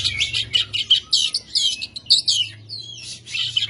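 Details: Gacor Oriental magpie-robin (kacer) pouring out rough 'kasar' song: fast, continuous string of scratchy, buzzy high notes mixed with sharp whistled pips, barely pausing; a faint low hum underneath.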